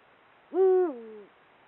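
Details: In breeding condition, a male Eurasian eagle-owl hoots to claim territory: a deep, mellow note steady for a moment, then stepping down to a lower, weaker drawn-out ending. There are no other sounds.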